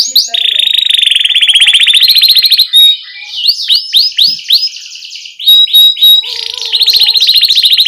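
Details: Canary singing as a master song for young learners: a long high buzzy trill, then looping slurred whistles, brief pure tones and a renewed rapid trill, all loud and clear.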